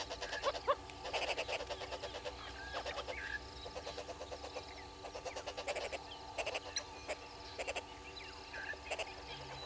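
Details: Red-billed hornbills below a waterhole camera at Gowrie dam, Djuma Game Reserve, Sabi Sand Wildtuin, South Africa, 3 July 2022 at 06:32; rapid clucking notes in repeated bursts, several birds calling over a dense busy chorus.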